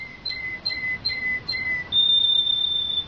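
A Belgian canary sings four pure, steady whistled notes in quick succession, then holds one long, higher whistle. The room is otherwise quiet.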